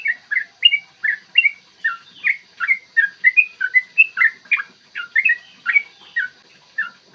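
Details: Yellow-vented bulbul delivering an extended rapid song, styled 'ropel panjang', used as a lure to rouse bulbuls to sing and fight; recorded in the morning. Fast chattering series of bright, bubbly whistled notes without a break.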